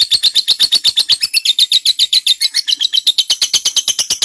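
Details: Long ngekek chatter of a lovebird, meant for training white-rumped shamas: a steady run of sharp, high, buzzy notes, roughly four each second, continuing evenly throughout.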